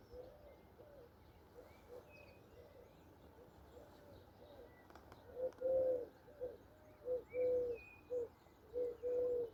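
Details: Gentle dove calls from mourning doves on a spring morning in Andalusia, Southern Spain: faint low coos at first, then a louder run of short, smooth, even-pitched coos in quick succession, with a few thin songbird notes higher up.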